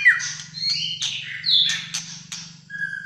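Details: Caged Malaysian white-rumped shama singing fighter style: scratchy, squawking notes and rasping bursts broken by sharp clicks and a short pure whistle, with a steady low hum in the background.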